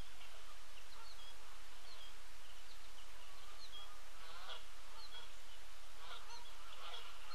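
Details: Two flocks of Canada geese (Branta canadensis) taking off from the Sapsucker Woods ponds, 27 September 2016, possibly on migration stopover, give a steady chorus of overlapping nasal honks, several per second, over a constant low background rumble.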